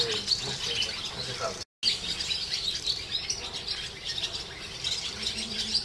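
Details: Swallows in the streets of the Jewish quarter of Hervás, a small town in northern Extremadura, twittering in a dense, continuous chorus of high chirps, with faint voices below.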